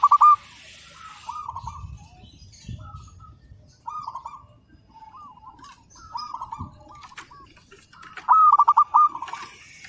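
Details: Local Zebra dove singing as a training master: a loud stuttered opening, then spaced soft rolling coo phrases, and a final bright burst of rapid rolled notes.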